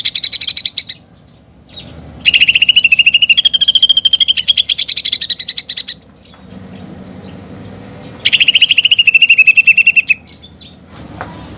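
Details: Singing greater green leafbird (cucak ijo) with sparrow-fight and pelatuk bawang fill: a short high burst, a long rapid pulsed trill of almost four seconds edging upward, then a quieter stretch and a further descending trill.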